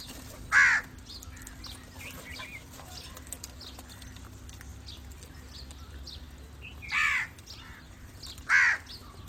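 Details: Crow giving three loud, harsh, hoarse caws: a single one near the start, a long quiet gap, then two more close together near the end, over a faint steady low hum.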